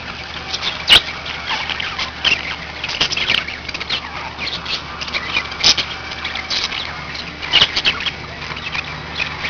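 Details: Several household budgerigars keep up a quieter stream of chirping and chattering, with sharp clicks near one, six and seven and a half seconds, over a low mechanical hum.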